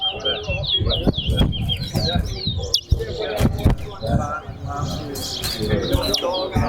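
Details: Bird-singing competition between towa-towas at Betterhope Center ground: a string of bright whistled notes, each rising and falling, fills the first half, then fades under loud talking, music and sharp knocks.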